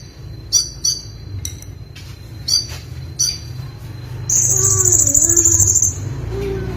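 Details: Ruby-cheeked sunbird (konin) singing gacor, full of isian, meant for tutoring other birds: several sharp high chirps, then a long, steady, buzzy high trill lasting almost two seconds over a low hum.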